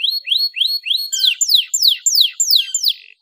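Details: A canary sings a rapid phrase: about six rising whistled notes, then a run of bright, falling, trilled sweeps, repeated roughly three times a second; the song is used as a lure to make silent canaries sing.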